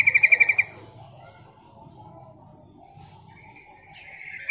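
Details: Female yellow-vented bulbul calling to draw in males, a lure call for bird catching: a quick burst of about seven sharp, even chattering notes at the start, then faint background chirps and a low hum.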